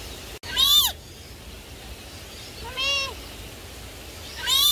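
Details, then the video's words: Rainbow Lorikeet (Trichoglossus moluccanus) talking: three short, arching, word-like utterances about two seconds apart, rich and slightly nasal, over a faint steady hiss. "RAINBOW LORIKEET TALKING"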